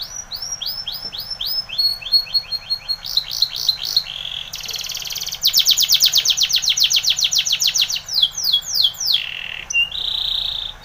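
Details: Spanish Timbrado canary training song: a series of repeated rising whistled notes, then rapid metallic trills, a steady buzzy rattle and falling sweeps.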